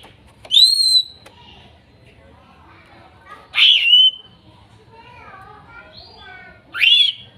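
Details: Greater green leafbird in therapy recording for a bird that has stopped singing, with wild-sourced song material: three loud whistled phrases, the first a rising sweep, separated by long gaps with faint softer notes between.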